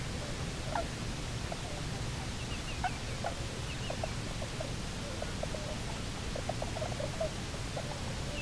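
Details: Returned Bermuda petrel pair at their Nonsuch Island nest, Bermuda, 29 October 2018, on a live camera: short clipped clucking notes repeated irregularly, a few brief higher squeaks, over constant low hum.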